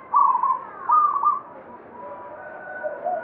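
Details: Banyumili zebra dove singing strongly: two rapid trilled coo phrases close together, followed by quieter drawn-out lower notes.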